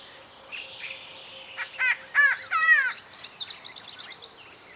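Yellow-bellied Greenbul giving harsh, nasal chattering notes, then a quick run of squeaky upslurred phrases, over a steady insect drone.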